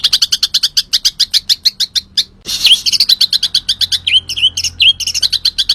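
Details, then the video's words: Green leafbird in lively song: a steady stream of quick, sharp high chirps, broken by a brief harsh burst, then continuing with chirps mixed with short down-slurred whistled notes. "cak ijo gacor"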